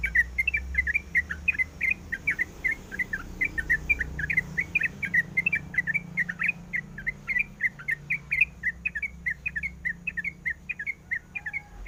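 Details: Female sooty-headed bulbul calling to a male, in breeding condition: a regular stream of quick chirped notes, evenly paced throughout, with a low hum in the background.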